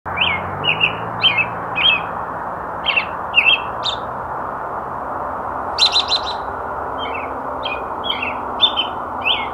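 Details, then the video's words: American robin singing in a forest in Calgary, Alberta, in spring as the light was fading: short, clear whistled phrases in a loose caroling series, with a higher squeaky burst midway, over a steady background hiss. "American robin bird song"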